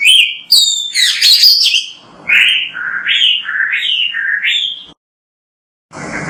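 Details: Oriental magpie-robin (kacer) in full lively 'gacor' song, used as a tutor recording to prompt other kacer to sing: a dense, squeaky burst of high notes, then a series of clear whistled phrases rising and falling, ending in a short pause.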